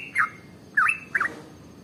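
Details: Sooty-headed bulbul (trucukan) giving long rapid 'ropel' song, recorded as a lure to get other birds singing. Three short, bubbly, warbling phrases at mid pitch, each slurring down then up, spaced about half a second apart, over a faint steady background hum.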